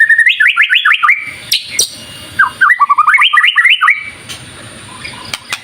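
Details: White-rumped shama in energetic 'gacor' song used as a lure to provoke other shamas, delivering rapid runs of rising whistled notes, about four per second, in two bursts separated by sharp clicks and a short pause.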